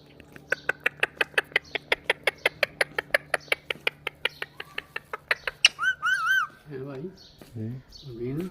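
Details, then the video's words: Pet rose-ringed parakeets, a talking pair: a steady series of sharp clicking chips, about three per second, then looping whistled and squawky notes, some rising and falling in quick bends. "Most amazing talking mithu couple 😅 | Talking Parrot | Ringneck parrot video"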